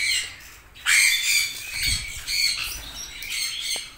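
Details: Abrupt loud squawk from red-rumped parrots followed by a string of harsh, chattering calls that gradually fade.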